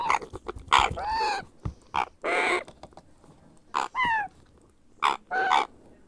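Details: Grey parrot hatchling begging while being hand-fed, giving a rapid series of hoarse, nasal squawks and croaks, some bending downward in pitch, with short gaps between bursts.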